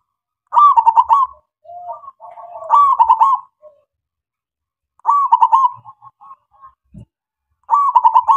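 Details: Local zebra dove singing actively, used as a lure to make other doves sing: four loud, rapid stuttering coo phrases near one pitch, roughly every two to three seconds, with softer, lower drawn-out coos between them.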